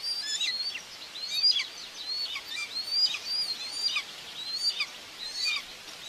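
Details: Common buzzard nest in Tiszalök, Hungary, 2 June 2024, where the mother feeds two chicks. High, drooping whistles repeat about once a second, partly masked by broad background hiss.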